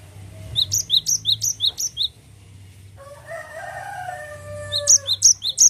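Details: Cinereous tit giving its continuous rolling song: two bursts of quick paired whistles, a lower note then a higher one, about three per second, with a separate lower drawn-out whistled sound between the bursts.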